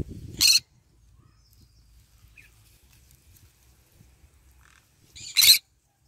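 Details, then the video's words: Morning-sun basking green-cheeked conure, eating, lets out two loud, harsh screeches about five seconds apart, the first preceded by a low thump, with near silence between. "Parrot Sound : I am eating and singing and basking in the morning sun : Green cheek conure bird"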